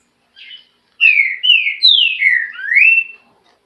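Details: Green-winged saltator (trinca-ferro) singing a clear whistled phrase: a short soft note, then a run of loud slurred whistles that slide down and up, ending on a rising note, in a quiet background.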